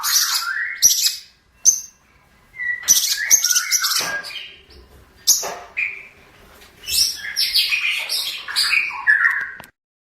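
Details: Master song of a long-tailed shrike for training birds: bursts of scratchy, chattering notes mixed with short whistles, broken by brief pauses, fading to silence at the close.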